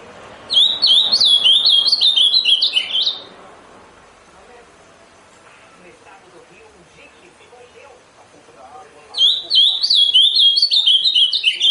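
Two bursts of quick, high, warbled notes from an Amazonian grosbeak, each about three seconds long, separated by a quiet pause with faint background murmur.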